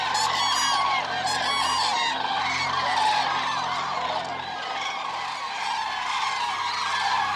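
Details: Eurasian cranes giving loud, rich trumpeting calls, many birds overlapping in a dense rhythmic chorus of rolling, honking notes with strong harmonics, swelling and easing slightly across the stretch.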